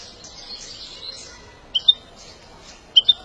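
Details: European goldfinch during song training and stimulation: soft, fast high twittering in the first second, then two pairs of sharp, clear high notes, each pair about a second apart.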